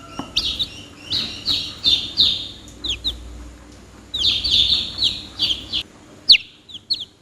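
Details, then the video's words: Chicks cheep steadily in two long runs of high, shrill peeps, the notes sliding down in pitch and coming several per second, separated by a short lull and a sharp click. "The sound of the chicks is funny, closer - Âm thanh của những chú gà con ngh vui nhộn, gần gũi..."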